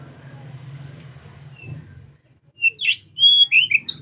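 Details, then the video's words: Oriental magpie-robin singing as a lure, day and night: a low rumbling background at first, then a clear series of loud, separate whistled and buzzy notes in quick succession. "kacer gacor siang malam cocok buat pancingan"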